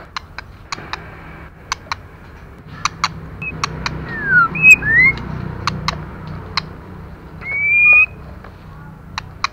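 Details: Female white-rumped shama used to stimulate other birds: a few curving whistles midway and one long steady whistle near the end. Frequent sharp clicks punctuate the whole stretch.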